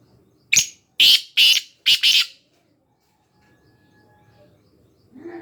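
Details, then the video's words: Black francolin (kala teeter) calling in Khushab: a loud, harsh, grating phrase of four rasping notes over about two seconds, the last one doubled, followed by near silence with a faint low rumble and a soft sound at the end. "kala teeter ki awaz"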